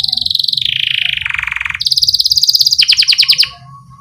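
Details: Singing canary used as a lure for young birds: a stepwise falling sequence of rolled trills, then a higher bright roll breaking into separate sweeping notes, with faint low background hum.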